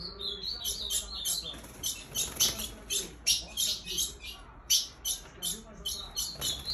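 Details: Female Ultramarine grosbeak, the 'mãezinha' call, used to excite males: rapid high, sharp chirps in clustered bursts, roughly forty to fifty a minute, over faint low background hiss.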